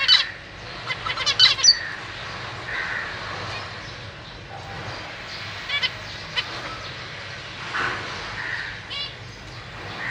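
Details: Zebra finches, a family with juveniles and newly fledged chicks being fed by their parents, give short nasal beeps and sharp squeaky chirps in irregular overlapping bursts against a steady soft hiss.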